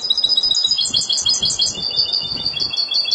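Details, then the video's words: Spanish goldfinch in Malaga song: an unbroken stream of bright, high, liquid twitters and trilled notes that pulse quickly for the whole passage, over faint low background hum. "لعشاق تغريد الحسون الاسباني ( مالاقا)"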